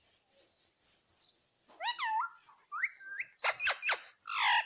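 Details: Talking Indian ringneck parrot: a bent, whistle-like syllable, a rising tone, then rapid harsh clicks and a final raspy call, all indoors with a steady high hiss.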